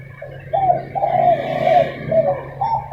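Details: Spotted doves disputing in the early morning: drawn-out, slightly wavering cooing notes in a long phrase, with a faint low hum in the background.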